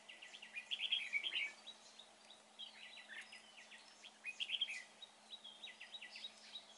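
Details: Red-whiskered bulbul at a trapping site, praised for fine form and a good voice; bursts of quick, clipped whistled notes come in clusters near the start and middle, with quieter scattered chirps between.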